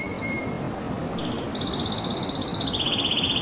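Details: Canary song with a brief high sweep and thin whistle, then a fast, even, rattling trill of repeated notes that drops slightly in pitch, against steady low background hiss.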